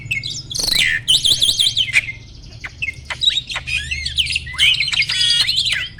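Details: Mature male Asian pied starling at peak breeding condition, kept as a cage bird, singing energetically while pumping its body, a sign it is ready to mate: loud harsh squawks mixed with rapid rising and falling whistled trills and clicks.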